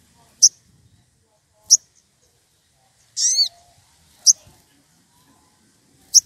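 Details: An excited wild sogon calling a rival gives crisp high single chips about every one and a half seconds, broken once by a brief rapid twittering trill of falling notes.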